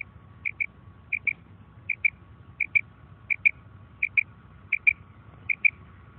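Female common quail calling in quick, high double notes, each pair coming about every two-thirds of a second, over a faint low hum.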